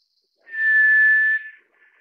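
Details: White's thrush (Zoothera aurea), also known as tiger thrush; one long, pure, steady whistled note held at a single pitch for nearly a second, ending abruptly and followed by a faint trailing echo, with an otherwise quiet background.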